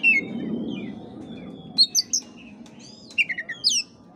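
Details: Oriental magpie-robin singing, meant to rouse a listless caged bird; after a low rumbling start come sharp whistled upslurs and a few quick falling notes, sparse and bright.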